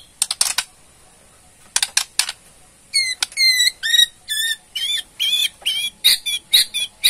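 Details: Murai Borneo, a white-rumped shama, in ketrekan mode meant to trigger a reply: scattered dry clicks, then a run of harsh, buzzy chattering notes repeated about twice a second.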